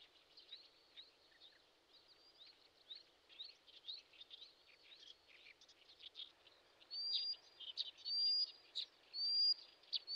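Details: Late-May riverbed in Shinetsu, Japan, where a common sandpiper adult guards lively chicks. Scattered faint chirps give way to loud, sharp, high whistles repeated about once a second toward the end, with a constant noisy hiss beneath.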